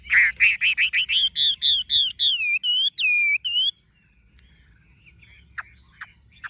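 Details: Chinese hwamei, tame, with yellow legs, bill and plumage, repeating a loud looping whistle about four times a second, the notes slowing and sliding higher before stopping, followed by a few faint clicks.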